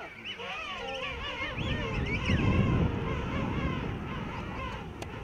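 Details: King penguins calling in a huge rookery on Salisbury Plain: wavering trumpet-like notes from many birds overlap, while a burst of low rumbling noise swells midway, then fades under continued colony calls.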